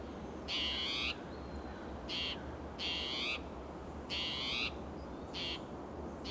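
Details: ['Harsh, catlike alarm notes from an agitated spotted towhee in a California coastal oak and pine forest in June, about one call every two seconds, alternating longer and shorter buzzy bursts, with faint thin whistles and a low hum behind.']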